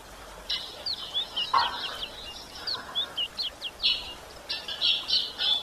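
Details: High, clipped chirps and squeaky twitters from a female yellow-bellied seedeater calling to stimulate males, delivered in quick irregular bursts with a few lower, fuller notes mixed in.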